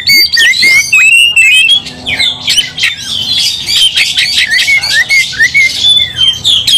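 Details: Fighting Oriental magpie-robins, one bird's aggression rousing the rest. Clear whistled phrases open the clip, then a crowded jumble of scratchy chatter, sharp slurred notes and high squeaks, delivered at a hurried, irregular pace.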